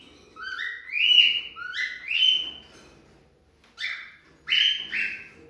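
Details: Female cockatiel calling to stimulate male mating: loud upward-sliding whistles in two short bursts, three notes then a pause and two more, with a quiet room background.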